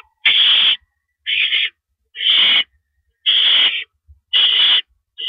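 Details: During a male owl's rabbit delivery to the nest at 1:11 AM on April 6, 2012, harsh breathy screeches sound about once a second, five to six in a row.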